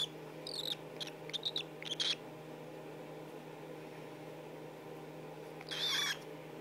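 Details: Hand-reared pet cockatiel seeking attention and cuddles indoors: a two-second cluster of short, high chirps, then quiet room hum, then one louder, harsh, rasping call near the end.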